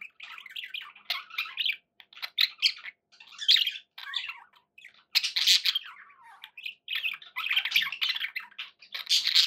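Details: Budgerigars kept as house pets give loud harsh squawks among softer warbling chatter, the bursts coming in uneven waves.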